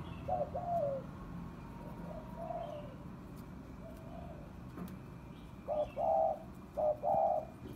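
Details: Spotted dove in full calling song, recorded as a decoy lure in Vietnam: soft, low, hollow coos in short two- and three-note phrases, a quicker run of coos near the end, over faint background hum.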